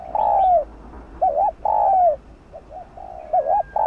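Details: Cooing of a spotted dove used to lure wild doves: a long falling coo, then a wavering double note and another long coo, followed by softer short coos and a further wavering note.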